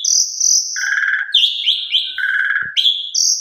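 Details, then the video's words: Brief passage of Asian pied starling song from a training master: a high steady whistle drops to a lower buzzy note, then a series of rising slurred whistles, with one faint thump. "Jalak Suren 100% Gacor !! Masteran Jalak Suren Pemula Biar Bongkar Isian"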